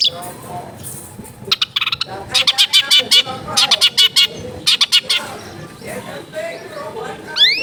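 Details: Long-tailed shrike kept at home in a crowded neighbourhood giving bursts of harsh, rasping repeated notes in quick series, broken by short pauses, with some whistled fragments and background noise.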